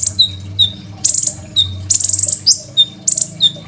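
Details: Kept Crimson sunbird singing vigorously, a full-fill-in song meant as a master for training young sunbirds, recorded on a phone: thin, sharp high chirps and short trills in spaced bursts over a faint low hum.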